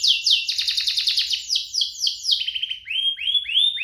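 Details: A pair of pet canaries singing vigorously, meant to spur other canaries into song and to tutor young ones; rapid rolling phrases slide into a series of bright rising whistles near the end.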